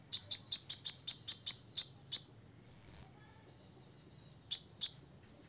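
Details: Six-year-old olive-backed sunbird singing to provoke rivals: a fast series of about ten piercing high chips, a thin sustained whistle, then two more chips in near silence.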